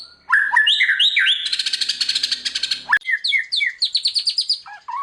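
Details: White-rumped shama, called murai batu, singing a varied 'bongkar isian' song for triggering silent birds: rich rising whistles, a long buzzy rattling trill, then quick falling whistled notes.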